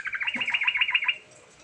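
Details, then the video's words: Energetic, continuously rolling yellow-vented bulbul song meant to prompt a silent bird into singing: a fast, even trill of about ten bright, bubbly notes, then quiet. "Burung Trucukan Gacor Ngerol Isian Variasi Sangat Ampuh Buat Pancingan Trucuk Macet Bunyi"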